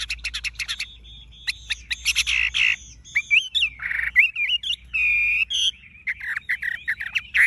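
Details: A caged Chinese hwamei with golden-yellow plumage pours out a loud, fast, varied song: rapid chips, rising and falling whistles, buzzy trills and squawky notes in quick succession.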